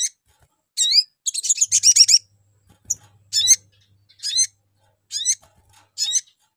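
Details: Lure call of a spiderhunter used to provoke other birds into answering: brief high chirps, a dense tumbling run of sharp twittering notes, then evenly spaced short chirps roughly every second.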